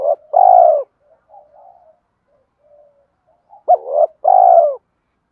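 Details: Fighting coo from a spotted dove, used to attract wild doves to a trap: a long falling coo, a stretch of soft broken murmurs, then a full phrase of a hooked short note and a sustained coo.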